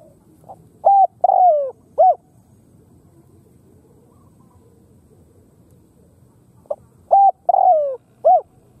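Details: Khmer spotted dove giving two matching phrases about six seconds apart, each a short coo, a long downward-sliding coo and a final short coo, in an otherwise quiet setting.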